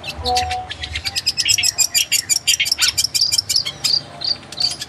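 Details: Long-tailed shrike song used to tutor kept birds into singing actively: a fast, steady run of sharp, high clicking notes, about three per second, with short whistled slurs mixed in.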